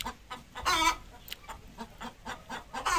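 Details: Desi hen laying an egg: one loud, strained squawk near the start, then a run of soft, short clucks repeated roughly every quarter second and a rising squawk at the end.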